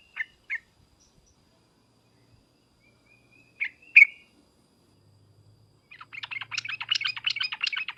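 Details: Lure calls of the sooty-headed bulbul, trucukan with 'ngriwek uplik uplik' notes to prompt a reply: a few isolated sharp chips and a faint thin whistle in near silence, ending in a dense, rapid burst of chattering notes.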